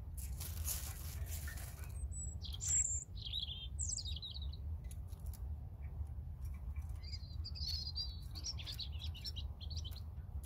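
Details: European robin song: thin high whistles and short warbling phrases, with a longer trilling run toward the end, over persistent low rumbling background noise.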